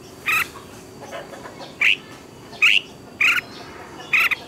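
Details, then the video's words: Red-whiskered bulbul recorded as a lure voice for training. Short, bright, slightly buzzy notes are repeated roughly every second in an even series over a faint background hiss. "Luyện chào mào hót sáng hay nhất, Ép chào mào hót âm kép xoắn hay tuyệt, luyện chào mào hót căng lửa"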